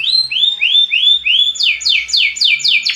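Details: Belgian canary singing to motivate other birds: a series of clear rising whistles about four per second, followed by quicker, louder downward-sweeping notes.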